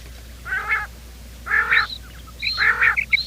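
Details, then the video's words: Quail call played in the morning to lure birds for trapping: three rough, harmonic double notes roughly one per second, with thin high whistles between them and low background hum. "Bater ki awaaz , batair ki subbha keliey awaz 2025 , batair ki awaz , bater ka awaaz, quail sound"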